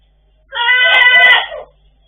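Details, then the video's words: Blue-and-yellow macaws kept as pets, vocalizing: one rich, nasal, buzzy utterance of about a second with many stacked harmonics, steady then trailing off, against near silence. "Gold and blue macaws parrots talking and sneeze"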